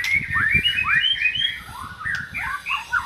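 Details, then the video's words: White-rumped shama singing, played to coax a quiet shama to sing: a quick string of rising and falling whistled slurs, rich and varied, over faint low knocking in the background. "JAMIN MURAI BATU BISU LANGSUNG NYAUT"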